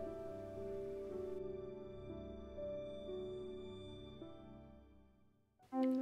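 Soft, slow piano music with sustained notes fading out, then a brief louder chord at the end; no animal sounds.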